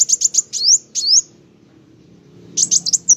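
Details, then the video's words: Sunbird (kolibri wulung) in full song: quick high chirps followed by two rising, sweeping whistles, a second or so of quiet, then another short burst of sharp, very high twittering. "Burung Kolibri wulung ( kowul ) gacor mantab"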